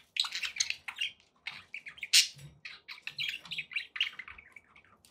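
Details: Happy domestic budgerigars trill and chirp nonstop, a busy mix of scratchy warbles and bright squeaks with one loud sharp squawk about two seconds in and faint low background murmur.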